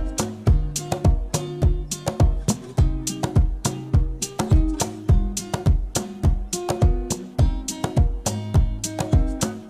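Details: Plucked acoustic guitar strummed in a steady, lively rhythm with deep bass notes, and no animal voice anywhere.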